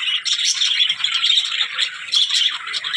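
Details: Short burst of budgerigar chatter: high twittering and squeaky notes run together nonstop, briefly dipping in loudness before picking up again.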